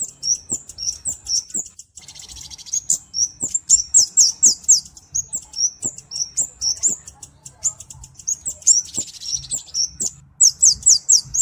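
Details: Flowerpecker singing clearly, recorded as a training and luring sound: fast, thin, high chips in irregular bursts, a couple of brief buzzy hisses, soft clicks throughout.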